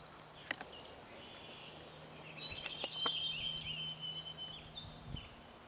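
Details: White-throated sparrow (Zonotrichia albicollis) singing in New Brunswick, Canada, on 13 May 2011: pure, clear whistles, steady high notes stepping down to a longer, lower whistled run, over a low hum and faint clicks.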